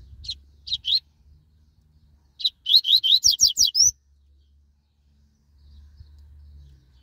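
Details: Double-collared seedeater, described as fast and spirited, singing: two short high notes, then a rapid run of about eight sharp, rising, slurred whistles near the top of the range, ending in a longer upward note; faint low thumps beneath.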